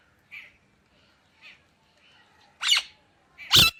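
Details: Indian ringneck parakeet: a few soft, short chirps, then two loud, abrupt, raspy squawks near the end, roughly a second apart.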